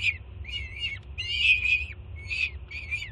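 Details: Nestling peregrine falcon, Jersey City nest cam, 24 June 2017, greets its mother with breakfast using wavering, wailing screams, four or five rising and falling cries in quick succession over a low mechanical drone.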